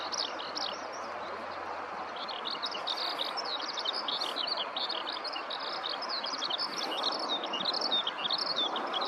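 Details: Eurasian skylark singing on the ground in a nearby rice field, close up; after a quieter start, a long rapid stream of high chirps and trills grows busier, over steady background noise.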